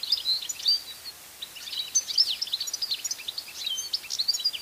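European goldfinch singing a fast, tinkling jumble of high twittering notes and liquid trills, with a faint background hiss.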